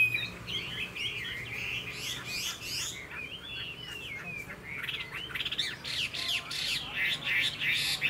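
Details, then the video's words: Caged Chinese hwamei, described as a good singer and fighter that spreads its wings, delivering a continuous, varied song of rich whistled and slurred phrases and rapid trills, with loud bursts near the end over a low steady hum. "Họa mi dáng ngũ trường, đấu xòe, hót tốt"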